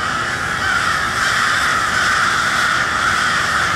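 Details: A crowd of crows calling in cold twilight in Westport, Kansas City, their rasping caws merging into a continuous, even roar with no gaps; faint low background rumble.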